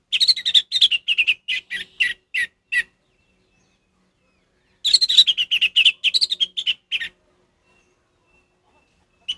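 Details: Ngeplong-style song of an orange-headed thrush, played to train a silent caged thrush: two bursts of rapid, bright, chirping notes, each about two seconds long, separated by a long quiet gap, with a lone note at the end.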